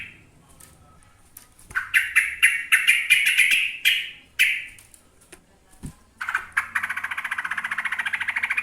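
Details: Yellow-vented bulbul singing a long, energetic song: a series of clear, bubbly notes repeated roughly every quarter second, a pause, then a dense, buzzy rapid trill. A quiet room is in the background.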